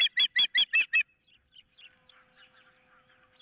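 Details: Osprey at a nest camera on 15 April 2023, with an intruder in the area and a dispute over a fish: five loud, sharp whistled notes in a fast run, then faint scattered chirps and a low steady hum.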